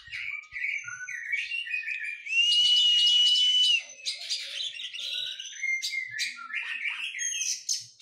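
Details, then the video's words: After moulting and in training, an Oriental magpie-robin sings varied phrases of short chirps and slurred notes, broken by one sustained high whistle near the middle. "KACER PRO HYPER LATIHAN FISIK PASKA MABUNG"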